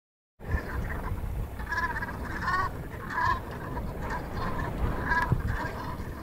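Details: Black brant at Moddergat, Netherlands, 15 March 2016: throaty, rolling honks from several geese overlap in a steady murmur, with bursts every second or so over a low rumble of wind.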